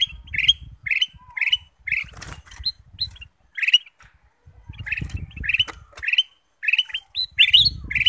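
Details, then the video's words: Lure song of the kutilang emas bulbul, meant to set other birds singing: repeated bright chirping phrases with brief gaps, over intermittent low rumbling and a few clicks. "pancingan kutilang emas"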